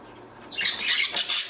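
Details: Pet budgerigar aged three years and five months gives a harsh, scratchy squawking chatter in rough, noisy bursts during the second half, after a quiet start indoors.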